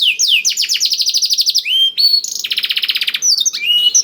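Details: Canary trained on blackthroat song, offered as a lure so canaries sing sooner: fast falling whistle trills, a longer slurred note, then a dense buzzy rattle and looping whistles.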